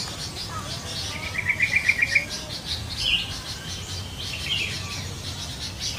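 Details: Yellow-vented bulbul calling in the wild with a quick run of seven sharp, chattering notes, then two single short notes, over a steady wash of high bird twittering.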